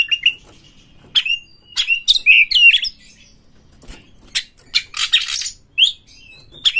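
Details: Oriental magpie-robin lure song used to stir rival birds into singing with tails spread: short whistled notes, a burst of scratchy warbled phrases, then more harsh chatters and falling whistles.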